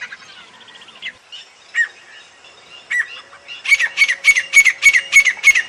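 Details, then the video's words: Grey francolin in the jungle: soft scattered chirps and a few isolated harsher notes, then a quick regular series of ringing squawks, about three per second, over the last two seconds. "Jungle Me Teetar Calling"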